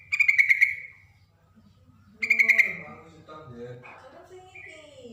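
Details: Yellow-vented bulbul, female calling male: two short bubbly warbled bursts about two seconds apart, followed by human voices talking.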